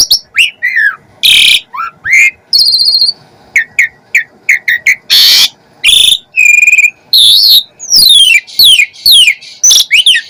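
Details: Energetic Asian pied starling song rich in mimicked phrases: whistles swooping up and down, harsh rasping bursts and buzzy stacked notes alternating quickly, loud and close.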